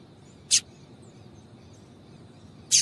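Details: Female double-collared seedeater giving calls meant to excite a male: two single, sharp, high chips a little over two seconds apart, with a faint steady whine between.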